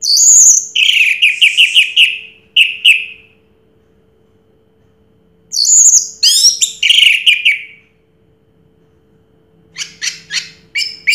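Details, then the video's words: Orange-headed thrush that won first place in a 2022 contest, singing loud bursts of high notes that run into fast repeated whistled trills. Several seconds of silence separate the phrases, and a series of thin, clipped notes closes the passage. "Suara Burung Anis Merah Juara Pertama Tahun 2022"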